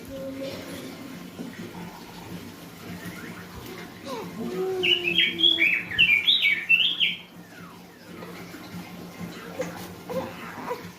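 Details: Orange-headed thrush singing as a training lure for a young bird: a quick, tumbling run of bright whistled notes lasting about two seconds mid-clip, with quieter chirps and a constant low hum around it.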